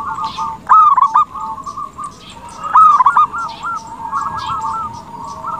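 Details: Local zebra dove in full song, a lure for other doves to reply: two bright rolling coo phrases about two seconds apart, with softer trilled cooing continuing between them and faint high background ticking.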